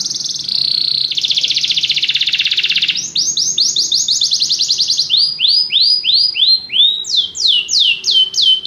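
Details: Canary pouring out song: a long buzzy trill for three seconds, followed by series of quick repeated falling whistles that change pitch and pace from phrase to phrase.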